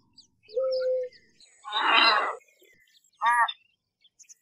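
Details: Calls of an American white ibis: a flat, even tone, then a broad rushing burst of noise, and finally one brief, rasping, nasal call rich in harmonics.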